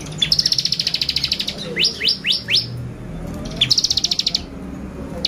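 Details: ['Bar-winged prinia song played as a lure to stir up birds: long, fast, high buzzy pulsed trills framing a run of four steep falling whistled notes.']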